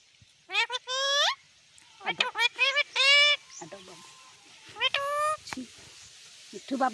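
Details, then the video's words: Talking pet parrot repeating nasal, harmonic word-like phrases in several bursts, some rising sharply, with a person speaking softly between them. "बोलने वाला तोता"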